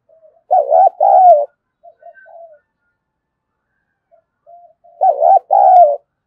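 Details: Lure spotted dove calling wild doves: a pair of throaty wavering coos, soft broken murmurs, then the same two-note coo repeated about four and a half seconds later.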